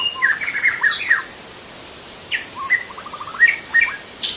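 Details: Young wild white-rumped shama from the forest singing a varied run of short whistled notes, quick rising slurs and a fast stuttering trill, over a steady high insect drone.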